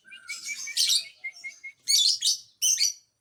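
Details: Lovebird song meant to provoke other lovebirds: harsh buzzy chattering bursts mixed with short high chirps and thin whistled notes, in dense clusters.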